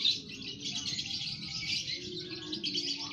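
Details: Aviary colony of lovebirds all singing ngekek at once: an unbroken wash of shrill, buzzy chirping from many birds, with a faint low rumble in the background.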